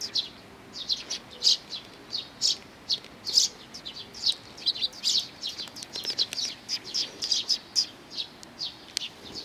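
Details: Eurasian tree sparrows, a group coming to be fed, Mizukami Bridge, 4 June 2020; continuous, busy chattering of short high chirps, growing denser toward the end.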